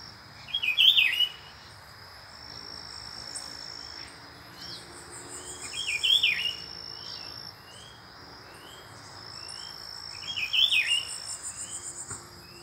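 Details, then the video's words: A pair of Rufous-browed Peppershrikes visiting near a rural home in Brazil; three loud warbled phrases about every five seconds, with faint repeated upslurred calls from other birds and a steady high insect hum behind. "Pitiguari Brasil"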